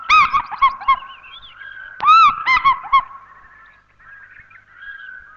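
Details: African fish eagle giving its ringing, yelping challenge call in two bursts of quick, high, gull-like notes, head thrown back while soaring high overhead at dawn over bushveld rivers near Capricorn; a softer trailing call follows.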